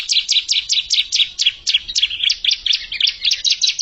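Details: Bar-winged prinia singing to challenge a settled rival: a steady run of rapid, high, downslurred chirps, about four per second, sharp and metallic throughout.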